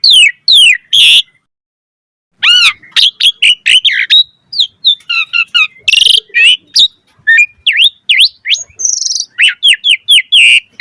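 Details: Asian pied starling singing hard after a short opening burst and a pause of over a second, then a fast string of clicks, slurred whistles and buzzy chatter running on without a break.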